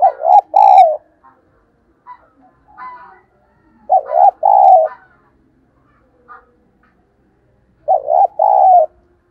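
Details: Spotted dove coos, used as a lure so other doves will answer. Three phrases about four seconds apart, each a wavering double note and then a held mellow coo. Faint, higher chirps fall between the phrases.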